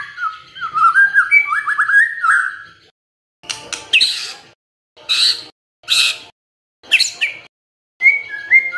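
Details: White-rumped shama song used as a lure to provoke other birds into singing: opening run of rich whistled, slurred phrases, then short bursts of harsh, scratchy notes separated by brief silences, ending on clear whistles.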